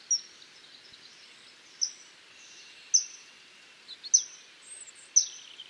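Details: Single sharp, high-pitched whistles from a common kingfisher, about one per second, each brief and piercing, over a low hiss of background noise.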